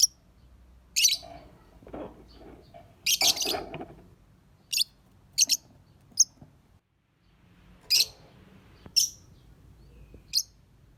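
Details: Lovebird singing: short, very high shrill chirps and squeaky bursts come in irregular clusters, some single and some in quick pairs, with quiet gaps between them and a faint low hum underneath.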